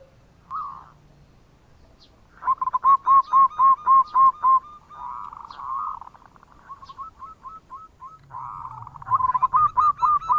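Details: Zebra dove of a local strain, singing strongly, with bekur cooing used as a lure for other birds. A short coo opens, then a rapid string of even, hooked notes, a softer blurred stretch, and a final quick run.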